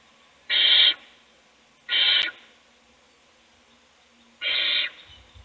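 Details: In an owl nest box, an adult feeding a chick as the others sleep, three loud, raspy hisses, two close together and then a longer pause before the third, with a faint click.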